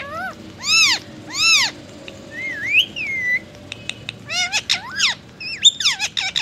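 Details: A rose-ringed (ringneck) parakeet speaking Hindi: two nasal, rising-falling syllables, then a gliding whistle and a burst of quick, squeaky voice-like notes.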